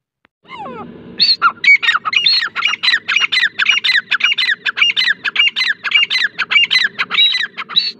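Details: Teetar, the grey francolin, gives a fast run of shrill, harsh, upslurred notes over a low background hum, after a brief descending whistle at the start.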